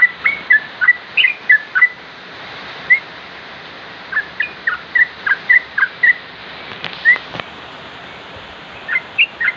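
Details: Trucuk, the sooty-headed bulbul: bursts of quick whistled chirps, short rising and falling slurs in clusters separated by quieter gaps, with a brief thud near the end.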